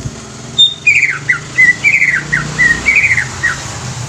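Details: Young greater green leafbird, used to stimulate other leafbirds, giving a string of clear whistled notes that dip and slur, about one per second, over a low background hum.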